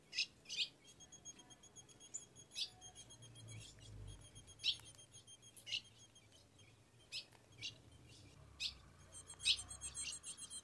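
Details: Female ultramarine grosbeak in the caatinga of Rio Grande do Norte, Brazil, calling to the male for mating; short high chirps scattered irregularly, some in quick pairs, over a steady high electronic-like tone and faint low hum.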